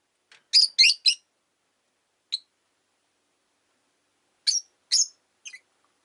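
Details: Five rosy-faced lovebirds kept as pets in a cage at a window give bursts of quick, scratchy chirps, three in rapid succession, then a lone note, then another short cluster of three.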